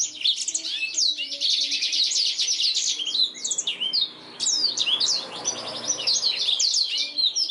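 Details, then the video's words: Song of a black-throated canary, a master for training canaries: buzzy high trill phrases followed by quick sweeping whistles and twitters, nearly continuous. "BLACKTHROAT GACOR SUARA JERNIH UNTUK MASTERAN KENARI"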